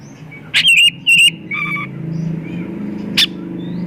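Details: White-rumped shama song meant to lure other shamas: two strong, ringing whistled bursts in quick succession, then a softer double-toned note and a late sharp chirp, with steady low traffic-like rumble underneath.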